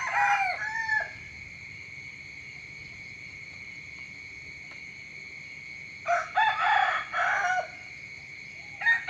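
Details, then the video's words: Rooster crowing in the morning: a harmonic, wavering crow opens, then a long pause filled by a steady high whine, before a second, broken crow in several rising-falling pieces. "เสียงไก่ขันตอนเช้า เสียงไก่ขันฟังต่อเนื่อง"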